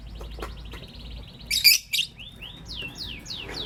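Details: Lovebirds, a green Personata and a pastel white, in the morning: a thin buzzy trill, then a loud harsh burst, followed by a run of quick downward-sliding whistled chirps, about five in a second and a half.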